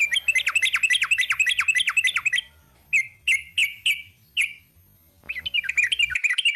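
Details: Long 'ropel' song of a sooty-headed bulbul: a fast, tight trill of repeated chirps, several separate whistled notes with gaps, a quiet pause, then the quick chatter resumes.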